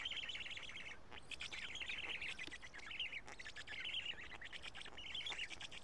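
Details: Black stork nestlings at Karula, 31 May 2017 around 12:47, during a feeding of two big fish; continuous scratchy, buzzing calls pulsing in irregular waves with brief dips.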